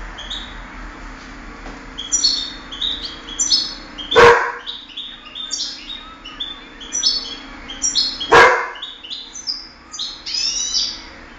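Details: Contest European goldfinch from 2008 delivering a fast, high twittering song of jingling, buzzy notes, broken by two loud sharp knocks about four seconds apart against a faint hum.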